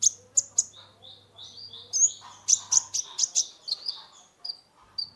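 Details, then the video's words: Caged sunbird, locally called kolibri ninja, in lively full song played as a lure for a stressed bird: rapid high thin chirps and short whistled slurs tumble together with few pauses, faint low hum underneath. "Terapi pancingan konin gacor full isian mengatasi burung stress"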